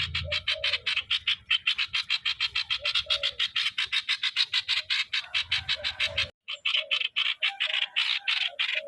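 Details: So-style song of a streak-eared bulbul used as a decoy: a long burst of quick, scratchy repeated notes, a brief break, then more of the same, with a low rumbling hum behind.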